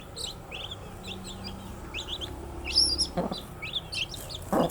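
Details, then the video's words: Young chicks peeping in short high chirps spaced through the clip, with a few louder thuds and scratching noises near the end. "Cute Baby Chicks with chirping sound"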